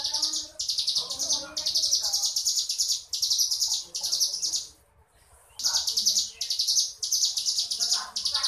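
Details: Crescent-chested warbler giving ngebrem song, a run of harsh high buzzy trills in quick bursts, with a clear silent gap near the middle before the buzzing resumes.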